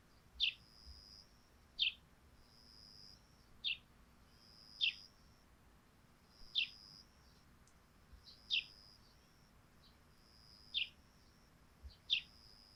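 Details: Sparrow calls ring out over a thatched roof wet with morning dew: crisp, evenly spaced single chirps, about one every one and a half seconds, against a soft high hiss.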